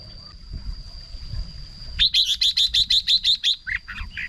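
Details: Song of a red-whiskered bulbul, used as a decoy or to excite birds: after a quiet start, a rapid run of about nine loud, evenly spaced chirping notes, then softer warbles, with a thin steady whine throughout.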